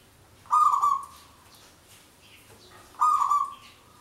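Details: Zebra dove, local bird, giving its long song used to lure wild doves: two loud cooing phrases with a rough, harmonic-rich onset, about two and a half seconds apart, quiet background with faint bird twitters.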